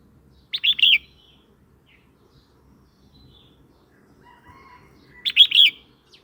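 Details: Red-whiskered bulbul song, played to provoke newly caught or old wild birds and to teach young birds; two short, rich warbled whistle phrases about four seconds apart, each quickly rising and falling, with faint softer notes between over quiet background.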